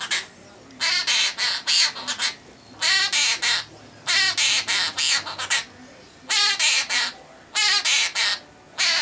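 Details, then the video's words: Caged pet half-moon conure, male, vocalizing his favourite tune Wheels On The Bus as a series of grating, buzzy squawks bunched in groups of four to six notes, with brief quiet gaps between groups. "Conure Sings "Wheels On The Bus...""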